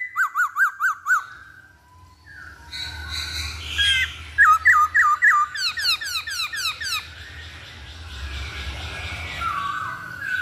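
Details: Masked laughingthrush lure song to coax another bird into singing: fast series of sharp, rising whistled notes in several rhythmic bursts, mixed with harsher chatter, with a low rumble behind.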